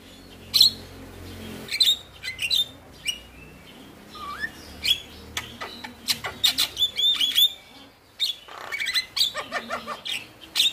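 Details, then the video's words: Male Javan myna in full song as a prompt for reluctant singers: varied harsh rasps, high whistles and a lower rising whistle, delivered in irregular bursts with dense chattering phrases toward the end. "Jalak Kebo Jantan Gacor Masteran - Pancingan Burung Jalak Malas Bunyi"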